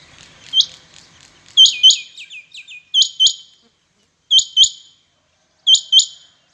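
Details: Rain quails, known locally as chingha batair, competing by calling: crisp high paired notes repeated every second or so, one bout followed by a quick descending run of shorter notes, then quiet gaps.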